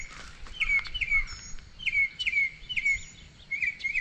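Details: Blue Grosbeak heard singing off to one side at a breeding bird survey stop, alongside mockingbirds, orchard oriole and doves; one individual is counted. Its quick, sweet, down-slurred warbled notes come about half a second apart, distant, over faint outdoor hiss.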